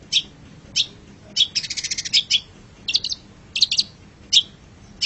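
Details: Master recording of long-tailed shrike song: high, sharp chirps spaced about half a second apart, broken by a fast rattling trill near the middle, against a quiet background.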